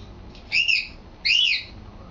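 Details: Pet male African grey parrot practising talking: two loud, bright, arched squawking calls each lasting about a quarter second, separated by a brief pause, high-pitched and harmonic-rich.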